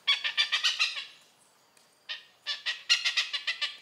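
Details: Oriental pied hornbill in Malaysia giving harsh, nasal cackling calls: a quick burst of about six rasping notes, a pause of about a second, then a longer run of about nine similar notes, loud and clear with no other sounds.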